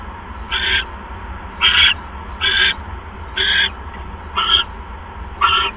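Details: During an evening mouse delivery to an owl nest on 1 January 2015, seven hoarse, breathy screeches sound at roughly one per second, each short and rasping, with a faint steady hum between them.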